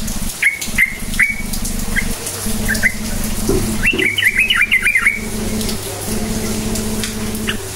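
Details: Sooty-headed bulbul, cukcuk nguplik style lure for making other bulbuls sing: a few spaced clear whistled notes, then a quick bubbly chattering phrase, with a low rumbling hum throughout.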